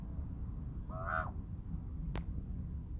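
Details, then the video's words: A big male raven, after tending his chicks in the nest, gives one short, hoarse, honking call with a bell-like ring, followed by a sharp click, over a steady low rumble. "Raven making cool sounds after tending to chicks"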